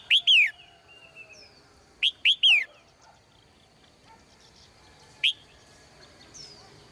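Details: Female bird singing in a cage in the morning: two groups of three ringing, down-slurred chirps two seconds apart, then a single chirp, over faint whistling of other birds.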